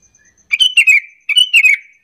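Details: Two rapid liquid phrases from a Sooty-headed bulbul, a lure call to make other bulbuls respond; each phrase of three or four chirpy notes falls a little in pitch, with faint regular high ticking before.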